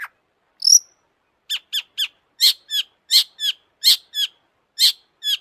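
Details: Excited long-tailed shrike in lively song: a sharp high note, then paired short descending chips repeated in a loose, quick rhythm, each pair very high and clipped.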